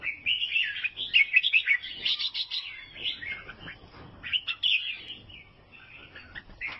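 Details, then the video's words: Albino sooty-headed bulbul from Vietnam singing: lively, varied warbled phrases and chattering notes flowing almost without pause, with a faint low background murmur. "KICAUAN BURUNG KUTILANG ALBINO"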